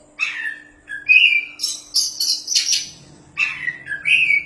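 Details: Champion caged kacer, an Oriental magpie-robin, sings mellow whistled notes, a sustained whistle, then a harsh chattering burst, followed by more short whistles; faint low hum and light background rumble.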